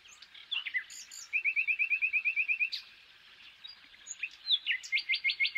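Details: A European (common) nightingale, famed for its song, sings a rich, varied phrase: a fast run of about twelve identical sharp notes, then whistles and buzzy slurs, ending in a loud rapid trill.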